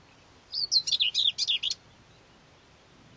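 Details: Common whitethroat heard on 29 April 2012 delivering a single brisk, scratchy phrase of about eight rapid, chattering notes lasting just over a second, with little else audible.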